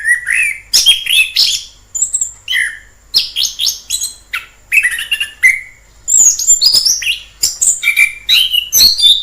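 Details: Song of a wild orange-headed thrush: rich mixed phrases of slurred whistles, high squeaks and down-sweeping notes, following quickly one after another, with short silent gaps.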